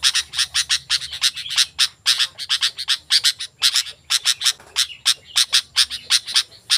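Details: Sooty-headed bulbul, vigorous song offered to call wild birds and train caged ones: dense run of rough, scratchy notes delivered in rapid pairs and triplets almost without a break.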